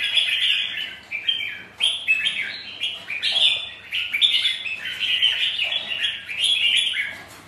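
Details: Red-whiskered bulbuls, kept champion birds, sparring in song on a windy, rainy day: bright, bubbling whistled phrases, each under a second, follow one another almost without pause, rising and falling in quick loops.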